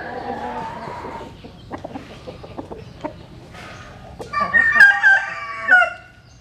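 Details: A crow heard at dawn among chickens sunning in the morning; the end of one crow fades out, sharp clicks and taps follow, then a bright wavering crow rises near the end.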